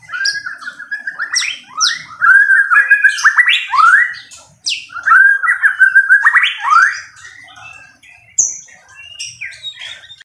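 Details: White-rumped shama fighter bird delivering a loud, energetic song of rapid chattering notes, rising whistles and harsh high chips, packed in dense bursts with short breaks.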